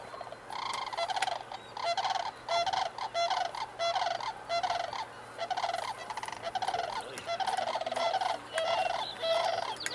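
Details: Sandhill cranes at Woodbridge Ecological Reserve, California, on a foggy October morning in 2011. The flock keeps up a continuous chorus of rolling, rattling, trumpeting calls that overlap and repeat throughout.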